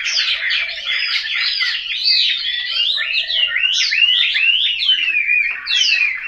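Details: Chinese hwamei kept in a cage at home in Hanoi, pouring out a loud, rapid song of looping whistled phrases that rise and fall without pause.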